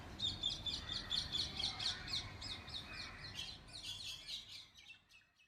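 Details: Parrots heard in monsoon rain: a rapid run of harsh, high chattering squawks, fading gradually over several seconds, with steady rain noise underneath.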